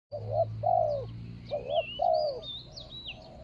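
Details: Spotted dove used as a ground decoy to lure a rival, dated 24 January 2565 (Thai calendar): mellow two-part coos, a short double note then a long falling one. Thin high whistles from other birds sound above.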